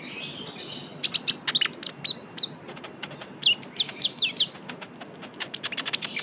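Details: Trotol-style lure song of a konin, known as kolibri ninja, Van Hasselt's sunbird: dense rapid run of very high ticks and sharp slurred whistles, briefly pausing, then resuming as a fast continuous chatter.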